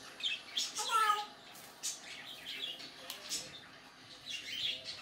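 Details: Pet African grey parrot, May 2019, mimicking human sounds: a bright harmonic whistle near the start, followed by softer breathy, speech-like utterances and clicks.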